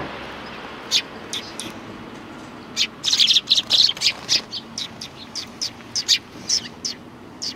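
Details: A flock of sparrows at a Tenmangu shrine, 3 January 2020: scattered high chirps at first, then a dense rush of bright tweets, continuing as irregular single chirps about twice a second.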